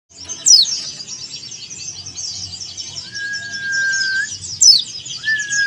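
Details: Male Oriental white-eye of the yellow-breasted Dakun Bali type calling out to a rival: two sharp, high, steeply falling notes about four seconds apart, a long level whistle between them, over a dense high chatter of other small birds.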